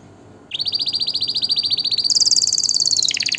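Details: Canary launches into a steady rolling trill of evenly repeated notes, then shifts to a higher, louder, faster trill that bends downward near the end.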